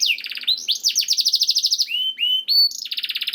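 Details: Canary singing, used to stimulate other canaries into song: fast pulsed trills, a run of evenly repeated buzzy notes, then two clear drawn-out whistles before another quick rattling trill.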